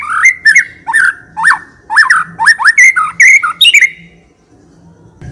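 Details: Shama (white-rumped) singing nonstop with full fills, suited to luring other birds into song. About a dozen loud rising whistled notes in quick, uneven succession, then silence.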